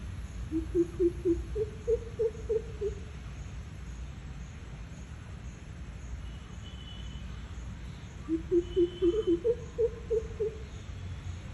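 Greater coucal giving two bouts of deep, hollow hoots, eight or nine quick notes each, rising slightly. A thin, steady insect hum runs underneath.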